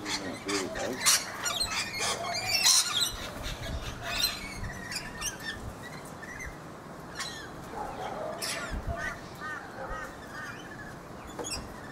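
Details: Rainbow lorikeets feeding in a guava tree in a Brisbane backyard, Australia, giving sharp shrill screeches and rapid chattering squeaks, loudest in the first four seconds, then fainter scattered notes over steady background noise.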